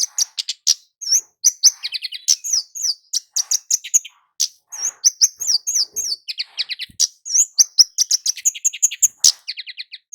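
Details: Flowerpecker known locally as kemade jawa, calling busily as a lure for males and females: long stream of thin, piercing chirps and quick descending ticks, occasionally broken by short fast rattles.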